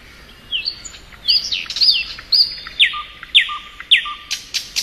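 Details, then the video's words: Thrush nightingale singing in spring: a run of sharp, high whistled notes repeated about twice a second, each a quick up-and-down slur, interleaved with short lower flat whistles and faint chirps. "Nightingale Song"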